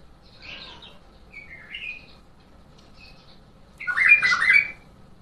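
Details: Bulbul singing the Mandali and Badra styles. Soft scattered warbles come first, then a loud, dense, rather harsh burst of rapid whistled notes near the end.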